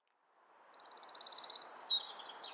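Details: Wren singing in nesting season, likely to its mate: a loud, high, rapid rattling trill of evenly repeated notes, followed by sharper squeaky phrases, over a soft background hum.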